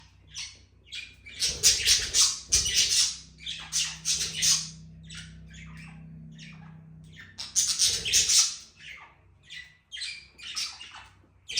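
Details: A pair of affectionate budgerigars chatter in a dense run of scratchy, high-pitched squawks and chirps.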